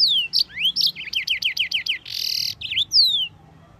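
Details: Continuous singing of a yellow-fronted canary used to teach other birds: descending whistled slurs, a rapid series of looping high notes, a harsh buzzy half-second burst, then a rising and falling whistle.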